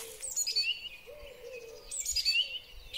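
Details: Song thrush singing in spring, recorded on a Huawei P30 Pro phone: two similar bright, whistled phrases with high sharp notes, about 1.5 seconds apart, over a steady low cooing murmur in the background.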